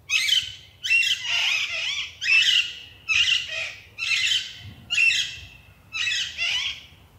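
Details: A group of rose-ringed parakeets in India gives harsh, high, grating screeches in bursts about every three-quarters of a second, with overlapping voices and no other clear sounds.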